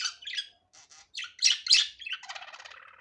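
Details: Budgerigar, natural unedited sound: mixed warbling chatter with buzzy squawks and bright chirps, a louder harsh burst midway, then a fast rattling trill trailing off.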